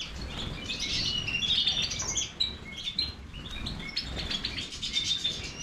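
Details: Major goldfinch giving a softer, more broken song of high twitters and clear whistled notes, with steady low background noise throughout.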